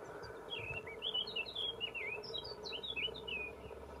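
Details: Willow warbler singing: a soft, quick run of short slurred whistled notes lasting about three seconds, rising slightly then easing lower, over a steady low hum.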